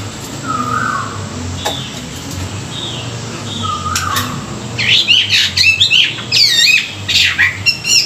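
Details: Chinese hwamei singing in the morning for song training: a few soft separate notes at first, then a loud stretch of fast, varied whistled and twisting phrases.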